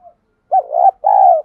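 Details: Spotted dove hen used as a decoy to draw in wild birds, giving one single-ending call: a short hooked coo followed by a long, steady, slightly falling coo, with no other sounds.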